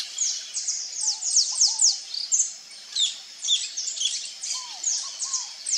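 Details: Wild, free-living Saffron finches give busy, overlapping high chips and short sweeping notes about twice a second, with soft lower whistles from another bird underneath.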